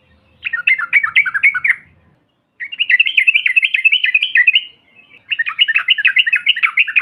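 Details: Yellow-vented bulbul trucukan lure, meant to push silent birds into loud calling. Three long bouts of rapid, rolling, bubbly notes, the middle one an even, fast chatter, are separated by short silences.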